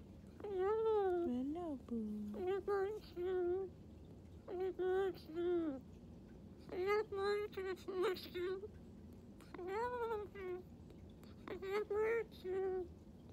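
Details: A male Moluccan cockatoo chatters at bedtime in short, speech-like phrases, heard as things like "I gotcha", with a wavering, mid-pitched voice, about a dozen bursts with brief pauses, over a faint low hum.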